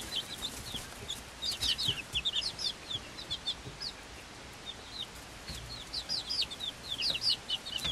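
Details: Five-week-old Swedish Flower Hen chicks and a same-age Silkie chick, hatched 26 February 2022, peeping steadily: shrill descending cheeps in quick overlapping clusters from several birds.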